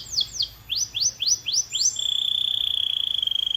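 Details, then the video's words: Canary singing in short bursts: a handful of sharp downward-sliding high notes, then an even, sustained buzzing trill held steadily to the end. "HYPER-ACTIVE CANARY! 🎶 The Magic Sound to Make Them Sing Like Crazy"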